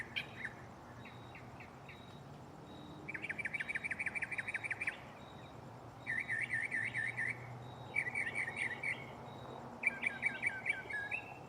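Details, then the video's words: Mockingbird singing in a tree right beside the listener at night: scattered single notes, then bursts of fast rolling trills, each in a different style, switching abruptly between phrase types. "Shuffling bird chirping live on location"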